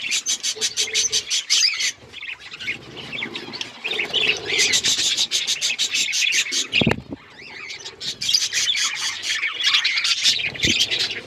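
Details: Budgies chirping: quick series of pulsed scratchy notes, then dense warbling chatter with squeaky twitters from several birds, a brief soft thump near the middle.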